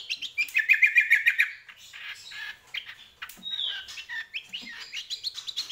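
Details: Greater green leafbird, called cucak kombo locally, singing in the lively nonstop gacor manner: rapid chattering bursts of high, harsh notes, then varied whistled slurs and squeaky trills tumbling quickly over one another.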